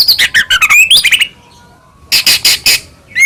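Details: Caged white-rumped shama, the Medan type, singing loudly as a lure to make other shamas sing and get agitated: fast varied whistles and chattering phrases for over a second, a pause, then a burst of harsh rasping notes.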